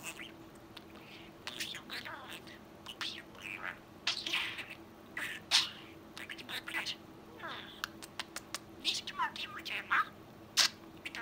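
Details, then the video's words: Talking pet budgerigar, a young sky-blue male near twelve months old, delivers strings of raspy, high mimicked syllables mixed with sharp clicks and whistled chirps, phrases tumbling irregularly; low electrical hum in background. "говорящий попугай! Волнистый попугай говорит"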